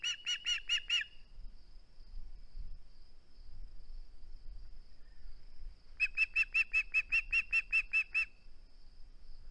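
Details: Osprey at its nest on a live cam, 21 August 2020, reluctant to give up its flounder: a short burst of four piercing whistled chirps, a pause of several seconds, then a longer run of about a dozen rapid, even notes.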